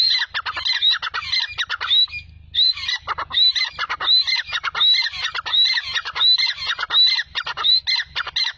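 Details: A francolin, called Irani teetar, gives harsh, grating squawks in rapid, uneven bursts, high-pitched and nearly continuous, with a faint low hum underneath.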